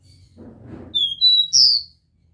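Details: Copper seedeater singing the pure 'Dó Ré Mi' song style, used to stimulate a captive bird: a short phrase of clear, high whistled notes, three level notes followed by a louder, higher sliding whistle, after a soft low rumble.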